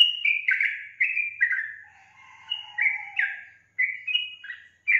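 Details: Sooty-headed bulbul singing busily: chirpy, downslurred whistles in rapid bursts, then a gap with a faint, lower, drawn-out whistle, before the chattering phrases resume.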